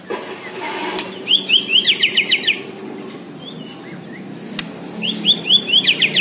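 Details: Bornean white-rumped shama in full song, delivering rapid bursts of high, sharp repeated notes, about eight per burst. One burst comes early and another near the end, with a faint low background murmur between them.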